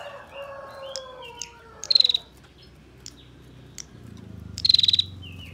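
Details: Female bar-winged prinia in its tight 'ngebren' style, used as master song for songbird training: two brief, high, buzzy rattles of quick pulses nearly three seconds apart, after soft lower harmonic tones.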